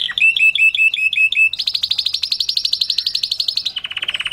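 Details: Canary singing a forceful Mushti-style song to stimulate females for mating: a row of repeated chirping notes, then a fast high trill of many pulses, shifting down to a lower rolling trill.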